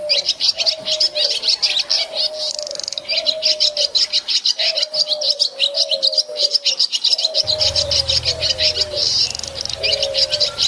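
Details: Swiftlets in a village give a dense, continuous stream of high, rapid twittering chirps. Beneath them runs a lower whistled note that slides downward and repeats steadily. A low hum joins near the end.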